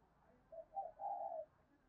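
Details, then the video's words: Female spotted dove calling to stimulate males: a soft, distant three-part coo of two short low notes followed by a longer, drawn-out hooting note, over a quiet hiss. "Tiếng cu mái kích trống"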